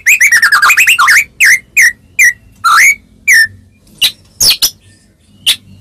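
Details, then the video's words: White-rumped shama singing to draw replies from other shamas, opening with a fast run of falling whistles, then separated upslurred whistles and short sharp clicks with gaps between. "Suara Merdu Murai Ini Selalu Berhasil Buat Murai Apapun Langsung Nyaut"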